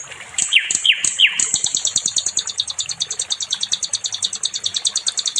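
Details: Sikatan londo nightingale in a training recording for songbirds: three sharp downward-swept whistles open into a long, steady, high-pitched buzzing trill pulsing about three times a second.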